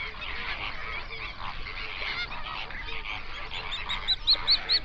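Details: Flamingos gathered on an Overberg lake in South Africa, recorded in binaural sound around sunrise. A busy honking chorus, then several loud, high, quickly repeated arched notes near the close.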